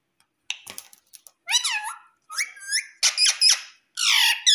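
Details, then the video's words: Pet Indian ringneck parakeet in India that says mummy and papa, answering a person saying mummy with a string of squeaky, harmonic syllables of sliding pitch, louder toward the end. "Mummy Papa Bolne Wala Parrot || Talking Parrot"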